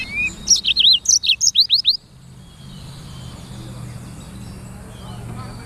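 Black-throated canary singing a quick burst of high, sweet whistles and trills for about two seconds, followed by a low background rumble.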